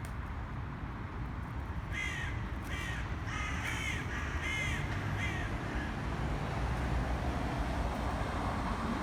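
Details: Black crows attacking a pigeon, cawing in a short run of about six harsh, hoarse caws spaced roughly half a second apart, over steady low traffic-like rumble and background hiss.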